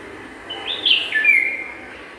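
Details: One of a pair of bulbuls building a nest in a garden gives a single clear, rising then falling whistled phrase over steady background hiss.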